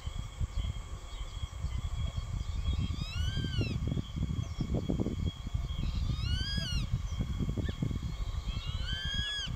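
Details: Juvenile grey-faced buzzard calling repeatedly at a nearby adult perched in line with it, later chased away by the adult; clear down-slurred whistled cries with rich overtones, three calls spaced about three seconds apart over low rumbling background noise.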